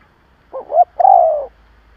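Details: Decoy spotted dove calling to stir up rival doves: a single phrase of two quick rising notes and one drawn-out descending coo, with faint low background hum.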